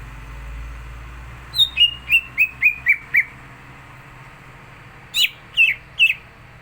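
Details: Greater green leafbird singing a full, contest-ready song; a run of six sharp, descending whistled notes evenly spaced, a pause, then three louder, higher slurred notes over a quiet background hum.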